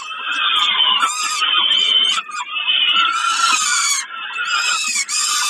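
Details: Near-continuous harsh, wheezy calling from peregrine falcons at Kawęczyn during a snack, 20 May 2022. Overlapping rasping notes with short scratchy clicks, and a steady, strained cry under them that swells and fades without real breaks.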